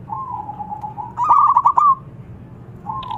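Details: Local zebra dove calling out to rivals: a soft level coo, then a loud rapid stuttering burst, then a brief restart at the end.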